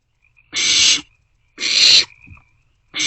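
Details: Barn owl chicks in a nest box at night on 27 March 2024 sharing a meal; two long noisy screeching hisses followed by the start of a third, with a brief quieter rasp after the second.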